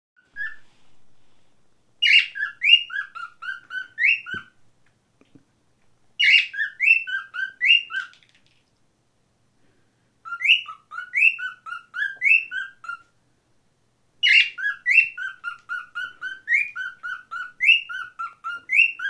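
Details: A pet cockatiel gives a learned "scream song", picked up from other cockatiels: bursts of sharp chirps and harsh screeching notes repeated about every four seconds.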